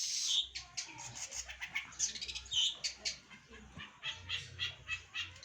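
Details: Trained long-tailed shrike in full 'gacoran' song: a stream of scratchy, high chattering notes in uneven bursts, with a soft low hum beneath.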